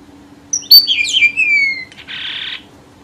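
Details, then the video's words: Red avadavat lure song: a thin, high phrase of sliding whistles falling in pitch, ending in a short harsh buzz, over a faint steady hum. "TIẾNG CHIM HOA MAI ĐỎ MỒI CHUẨN"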